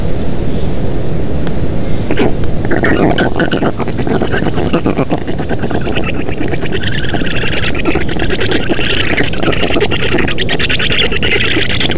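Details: Heavy wind rumble and microphone buffeting with scattered knocks and rustles; no clear animal call.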